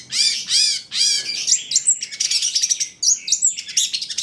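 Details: Cendet trotol (Long-tailed shrike) in full, chatty training song used to coax other birds into singing. Three loud arched, harmonic notes open, then fast varied twittering and sharp chips.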